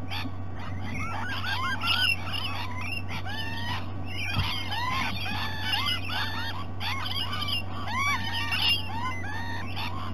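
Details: Rainbow lorikeets visiting at breakfast time at Sydney Olympic Park, Australia, giving dense bursts of screechy, chattering calls that come in waves, with a steady low mechanical hum underneath.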